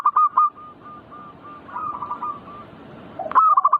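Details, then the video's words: Zebra dove (perkutut) singing in the manggung style, used to rouse birds to sing; a loud stutter of cooing notes opens, softer evenly spaced coos drift through the middle, and a sharp burst of notes closes. "Pancing Emosi burung perkutut bikin cepat Gacor rajin bunyi manggung"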